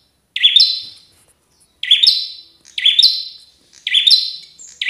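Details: Fighting-spirited Bar-winged prinia, a visiting wild bird in full song, repeats a loud buzzy note that sweeps up and then trails off. Four phrases come roughly once per second with a clean, quiet background.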